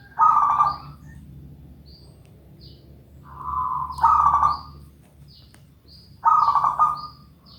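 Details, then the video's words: Zebra dove in full song gives three loud trilled, burry coos, roughly every three seconds, each about half a second long. Soft high chirps sound in the gaps. "Review Burung Perkutut - Gacor Banget"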